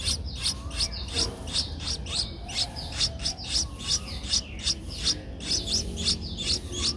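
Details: An 11-day-old Streak-eared Bulbul chick in Ubon Ratchathani, Thailand, 13 April 2023, gives steady, rapid high-pitched cheeps, about two or three a second, sharp and slightly downslurred, with a faint low hum behind.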